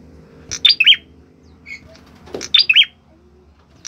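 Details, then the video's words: Orange-headed thrush singing actively: two short phrases of sharp, high whistled notes nearly two seconds apart, with a soft thump and faint chips between. "Ciblek kepala merah gacor"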